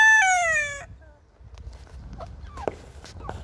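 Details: A Wyandotte rooster in a kitchen garden ends a crow with a loud, harsh, drawn-out note that slides downward, followed by a few faint short calls and farmyard rustling.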